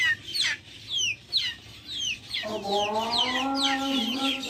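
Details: Backyard chickens: scattered thin descending peeps open the recording. Then a low, wavering, harmonic call rises in and holds while quick high peeps continue above it.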